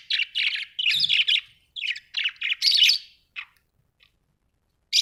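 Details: Australian budgie parrots in steady rapid chattering, strings of short harsh chirps running together, then tapering to isolated notes and silence.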